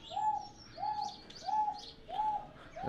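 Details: A Wonga pigeon at Exmoor Zoo gives five clear, fairly high 'wonk' notes, each slightly rising then level, about two per second, with faint higher chirps from other birds behind.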